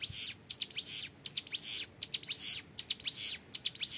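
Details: Young hill prinia in lively, clear ngebren song for training birds: tight runs of high, shrill, rising strokes and buzzes, delivered in regular bursts just under one second apart.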